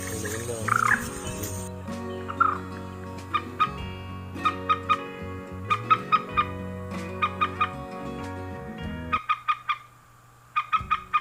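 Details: Common moorhen call used to lure moorhens at night, giving sharp, clucking kek notes in quick bursts of two to four, repeated every second or so over a steady low humming drone.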